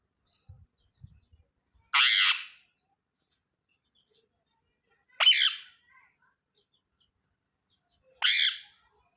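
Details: Parrot uttering three brief, rasping screeches spaced roughly three seconds apart, each starting with a sharp upward sweep, against near silence with a few faint taps early on.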